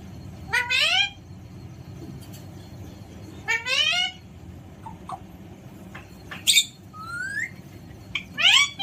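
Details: Alexandrine parakeet in a playful mood giving widely spaced harsh, harmonic squawks that sweep down and then up, plus a short clear whistled slide, with low background hum.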